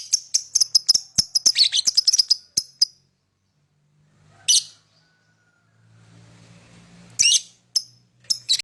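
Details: Lovebird singing: a dense volley of rapid, piercing chirps for about three seconds, then a lone harsh squawk, a low background hum, and another burst of shrill rasping calls.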